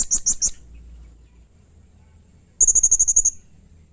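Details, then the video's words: Blue-crowned hanging parrot (serindit), a lively singing bird used as a training and lure sound for other birds: three sharp, very high shrill notes, a pause, then a quick run of about eight piercing high notes. "masteran suara burung srindit atau serindit gacor || Pancingan suara burung serindit"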